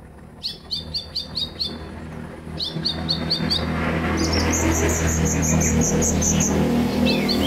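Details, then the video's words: Purple-throated sunbird played to train newly caught caged birds to sing: quick series of high, sharply rising chirps in bursts of four or five, then a rapid high trill over steady low background hum. "terapi ampuh buat konin biar gampang bunyi dan gacor"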